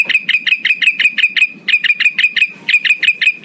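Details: Male Black-headed bulbul giving a lure call to summon rivals: three bursts of quick, sharp repeated notes, roughly six per second, with brief gaps and faint low background noise.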